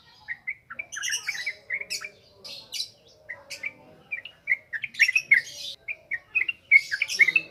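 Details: Yellow-vented bulbul singing, recorded as a lure to train birds: jumbled, warbling notes interspersed with scratchy high bursts, in uneven bouts with short pauses.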